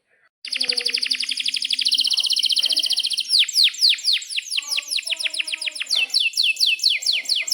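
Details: Long-rolling canary song for tutoring juvenile canaries and prompting non-singing birds: a fast pulsed trill for three seconds, followed by a rapid string of repeated downward-sweeping whistles continuing to the end.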